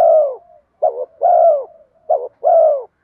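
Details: Lure calling of a spotted dove meant to pull wild doves to the decoy: warm low coos in pairs, a brief wavering note then a longer full coo that drops in pitch, repeated steadily with no other sounds.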